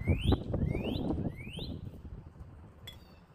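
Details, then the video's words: Northern cardinal in a backyard giving three quick upslurred whistles that rise and end sharply, about a third of a second apart, then fading off, over a low rumbling background. "Northern Cardinal Sounds"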